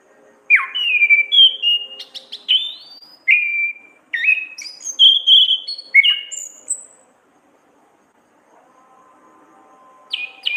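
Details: Masteran recording of an orange-headed thrush singing in gacor ngriwik style: about six seconds of quick varied whistles, some rising, some falling sharply, then a pause filled by a faint low drone before one more high note.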